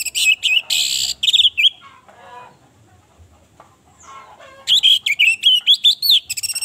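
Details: Orange-headed thrush female lure to trigger singing in males through mating urge and aggression. Loud, rich, whistled phrases at the start, a quieter middle stretch of lower, faint sounds, then a renewed rapid series of sliding, chirping whistles.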